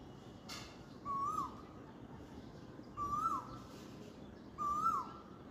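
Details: On a spring dawn, an Asian koel gives three clear, rising two-note whistles, one about every two seconds, with faint high chirps from other birds behind.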